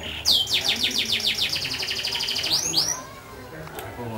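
A canary sings a fast, sweet trill of rapidly repeated high chirps, about a dozen notes in two seconds, ending in a couple of rising whistled swoops.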